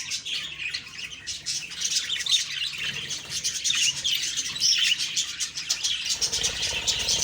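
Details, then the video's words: A morning chorus of budgerigars: overlapping high chirps and rough chattering notes, steady in level, with some rustling clicks. "Beautiful morning birds chirping sounds/Budgie sounds"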